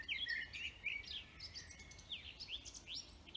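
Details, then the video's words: Wild forest birds twittering, short chirps followed by sweeping rising notes and a high squeaky call at the close. "Vogelgezwitscher Bird songs"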